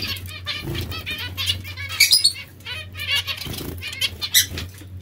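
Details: Zebra finches at bath time, calling in quick nasal chirps and short squeaky notes, with flapping and splashing bursts and a persistent low hum in the background.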